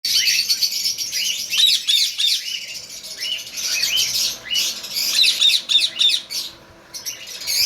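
Budgerigars chatter in a busy stream of high, scratchy chirps and squawks.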